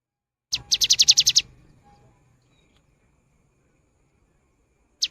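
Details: Cinereous tit in prolific voice, a recording to prompt silent birds to sing: a rapid, even trill of about eight sharp, high notes lasting under a second, then silence and a single note at the end.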